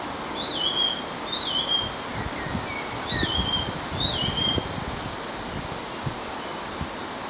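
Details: Song thrush (Turdus philomelos) singing at Chadkirk Country Estate on an evening in June 2022, mimicking a common buzzard: clear, downslurred mewing whistles repeated in pairs, over low rustling wind noise.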